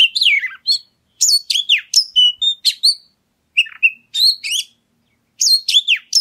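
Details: Oriental magpie-robin singing as a lure to prompt other birds to sing: rapid, dense runs of varied whistled notes, sharp chips and downward slurs in several energetic bursts, with no other sounds audible.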